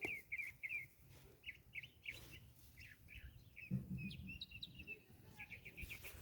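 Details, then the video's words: Northern mockingbird (cenzontle) singing nearby on a rural property while a fence is being built. It gives quick series of short, high, chirped and whistled phrases that keep changing, separated by brief pauses, over faint outdoor background noise. "Ahí anda un censontle cantando, no sé si lo escuchan."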